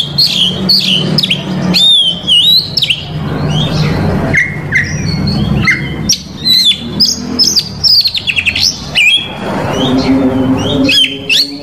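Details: Oriental magpie-robin, Indonesia, showing off its whole borrowed repertoire in cor dor fashion to lure rival males. The song is a long varied sequence of looping whistles, sharp chips and fast trills, with a buzzy harmonic rattle late on and a low hum beneath.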